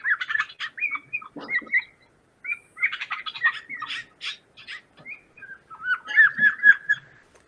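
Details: Canada Jay, played as a winter bird of Manitoba, the call most likely heard in the forest: varied whistled notes, harsh chatters and rising squeaky phrases, ending in a run of repeated clear whistles.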